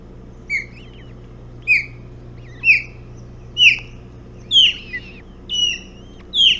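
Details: Ospreys at a Hog Island nest, 11 June 2017 at 05:09, while a bullhead is fed at breakfast; loud, downslurred whistled chirps roughly once a second, rich in overtones, over a steady low hum.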